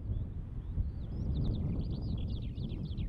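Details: Eurasian skylark singing in Latvia: a thin, high warbling stream of rapid chirps and slurred notes, building in density toward the end, over heavy low wind rumble.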